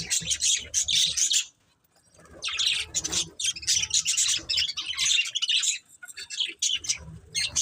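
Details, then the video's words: Breeding pair of budgerigars warbling in dense, scratchy high chirps, pausing about a second before resuming steady chattering twitter. "Cute Budgies Chirping Sounds"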